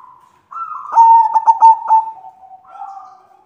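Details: White zebra dove hen calling to a male: a rising opening note, then a quick rolling series of clipped coos, ending in soft, slowly wavering notes.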